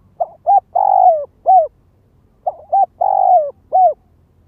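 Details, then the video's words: Spotted dove used as a ground lure, giving lure calls: low cooing phrases of two short coos, a long drawn-out falling coo and a final short coo, repeated twice about two seconds apart. "Tiếng chim cu gáy mồi đất Gáy Gọi Thúc Kích Bổi"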